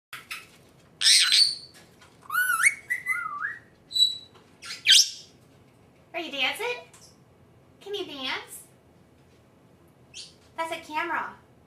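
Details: Female Senegal parrot, pet, on its first time in front of a camera, saying its own name indoors: a series of separate squawky, whistled phrases with sharp rising and falling sweeps, spaced one to two seconds apart.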